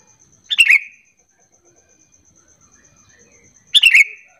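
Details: Sooty-headed bulbul lure call intended to set off answering song in other bulbuls; two short, bright, bubbly bursts about three seconds apart over a quiet, thin electronic whine.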